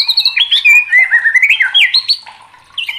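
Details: White-rumped shama (murai batu) in excited, emotional song for training competition birds, a continuous rich warble of quick sliding, looping whistles, rising and falling in pitch, ending in a brief pause and fresh phrase.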